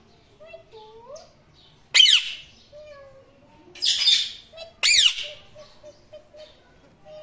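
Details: Indian ringneck parrot chirping and making sounds: three loud harsh squawks at roughly two-second intervals, mixed with softer low whistled and warbling notes in between.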